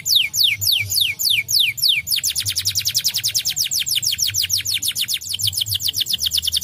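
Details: Lure song of a canary, meant to get lazy canaries singing: steeply falling high whistles repeated at an even pace, then switching to a long, rapid, rattling trill of tightly spaced notes that carries to the end.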